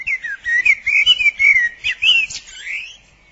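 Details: Common Blackbird (Turdus merula) singing rich, mellow, fluty phrases that rise and fall, with a thin squeaky flourish near the end, at the end of spring; it sings from January, from treetops, roofs or posts.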